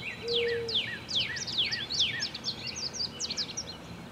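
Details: Nest of American robin hatchlings being raised by their parents: a fast series of sharp, down-slurred high peeps, about two or three a second, with a brief low whistle near the start and faint background hiss.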